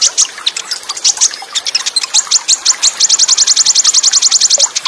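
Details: Full-fill olive-backed sunbird song, Cililin shot style with rapid rolls and tight gaps. Busy, jumbled high chirping builds into a long, fast, even roll of shrill repeated notes. Running water sounds faintly.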